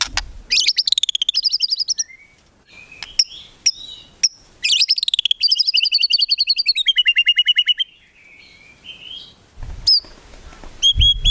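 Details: White-rumped shama singing actively, a training recording for songbirds, rich in rapid 'tembakan' phrases with no low 'ngukluk' notes; bursts of fast, high repeated notes, a rising-falling whistled series, then sharp chips after a pause.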